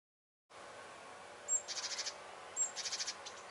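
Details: Great tit (Parus major) giving alarm scolding at a cat hunting birds: two bursts, each a thin high note followed by a harsh churring rattle of about five notes, over a steady hiss.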